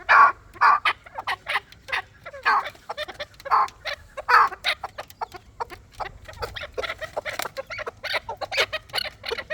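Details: Clucking calls of a chukar partridge, loud spaced notes at first, then a quicker, softer, irregular string of short harsh syllables.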